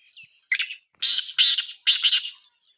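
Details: Sindhi kala teetar, the black francolin, heard in a village giving one loud scratchy call of four harsh bursts, the later ones longer and split, preceded by a soft brief chirp and a constant thin high tone.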